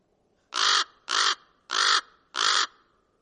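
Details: Four hoarse, evenly spaced caws from a common raven after a brief quiet start, each harsh and broad-toned, about half a second apart.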